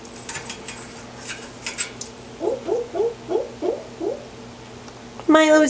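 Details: Nearly 18-year-old male African grey parrot, indoors with its owner, performs its practised monkey sound: six short rising hoot-like notes in quick succession, preceded by soft clicks and ending in a louder sustained vocal tone.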